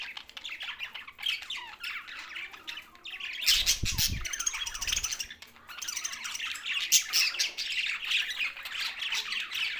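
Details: Budgerigars keep up constant high twittering and scratchy warbling, with a short burst of flapping or bumping sounds near the middle before the busy chorus carries on.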